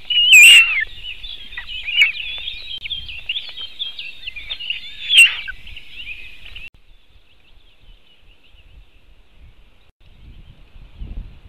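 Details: White-tailed eagle at its nest, filmed by a nest webcam in Latvia in 2018: a dense run of high, chattering yelps lasting about six seconds, broken by two sharp knocks, then near silence with a low rumble.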